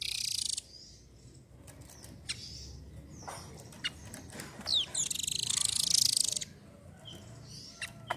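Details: Velvet-fronted nuthatch, a chatty individual, giving very high, fast buzzy trills in two main bursts at the start and again midway, with scattered sharp high chips between and a faint low background hum.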